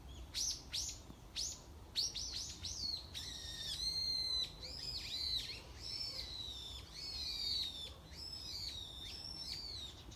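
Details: Wild bird in morning countryside, heard not seen: quick sharp down-slurred chirps open, then a varied stream of high whistled and warbled notes with rising and falling inflections, continuing steadily over a quiet background.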